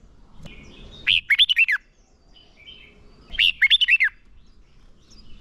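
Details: Competitive fighting song of a decoy red-whiskered bulbul kept to lure and train birds for singing contests; two crisp phrases of five or six clear, dipping whistles, about two seconds apart, over quiet background.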